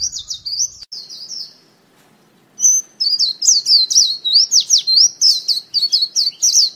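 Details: A decoy white-eye sings rapid, high, thin twittering notes, sweeping up and down in quick chattering runs after a brief pause.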